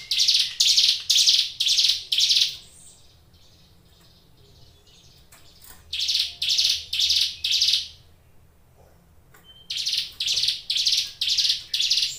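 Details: Vigorously singing ciblek gunung prinia delivers three bursts of rapid, harsh buzzy notes, about two per second, with quiet gaps between runs. A faint hum fills the background.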